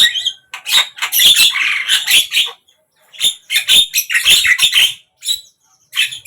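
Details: Javan myna song recorded through morning, midday and evening: dense bursts of grating chatter and thin whistles, separated by short pauses, roughly three phrases.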